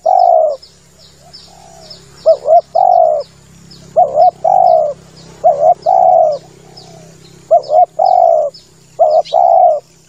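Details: Male spotted dove, recorded as a lure call for hunting doves: low, mellow cooing phrases, each a quick doubled note followed by a longer drawn-out coo, repeated about six times over ten seconds, with faint high chirps of small birds in the background.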